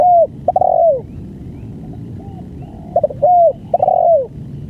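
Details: Spotted dove singing the long-duration banggo song: three loud, mellow, descending coo phrases, each a short note then a drawn-out falling coo. Fainter coos from other doves sound between them.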